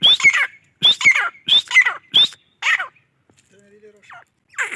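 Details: Masti call of a grey francolin (gora teetar): five loud, shrill, rising-then-falling notes roughly one per 0.7 seconds, followed by a quiet gap with faint murmuring and one more harsh note at the end.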